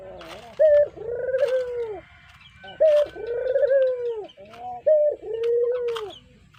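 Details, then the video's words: Spotted dove kept as a pet, its voice used as a lure: three phrases, each a quick high note then a smooth, low, slightly swelling coo, spaced about two seconds apart amid soft clicks. "Suara Merdu Burung Puter Coklat, Cocok Buat Pancingan"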